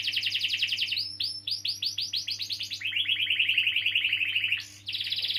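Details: Long-rolling canary song meant to stimulate young or silent canaries: quick trilled notes, a series of upswept whistles repeated about four times a second, then a long lower rolling trill and a high buzzy finish.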